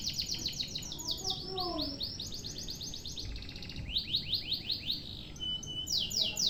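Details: Canary singing a long-duration masteran song in one breath: runs of rapid rolled trills and sweeping slurred notes, fairly quiet, with a few soft low whistles early on.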